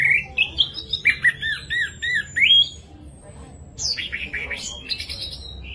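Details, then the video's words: Orange-headed thrush song for stirring silent thrushes into song: wavering looped whistles in rapid succession, a brief pause, then a jumble of harsh scratchy high notes. "ANIS MERAH GACOR VOLUME JERNIH BIKIN CEPAT EMOSI ANIS MERAH MACET"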